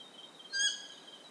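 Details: A Stygian owl in Ecuador calls once, a brief, ringing note rich in overtones, set against a persistent high-pitched insect chorus.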